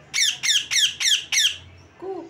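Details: Pet parrot indoors giving five loud, harsh, ringing chirps in quick succession, about three per second, then a brief softer sound at the end; quiet room otherwise.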